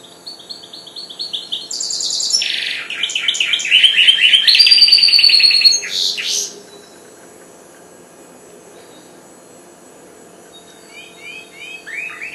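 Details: Young goldfinch hybrid, four months old and newly singing, delivers a long burst of jangling chirps and rolling trills that grows louder, then stops. After a quiet pause, a few soft twitters return.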